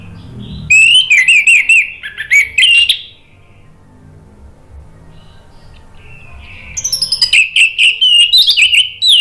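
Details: Orange-headed thrush song used to coax a reluctant bird into song. Loud bursts of rapid high whistles and trills, a quiet gap of soft low sound, then a long fast series of repeated shrill notes.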